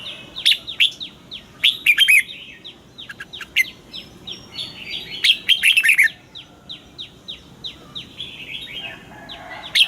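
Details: Caged red-whiskered bulbul giving morning song in the double-note 'già rừng' style used to train singing birds: loud bursts of rich, bubbling warbled phrases, with a steady series of short downslurred chirps running underneath.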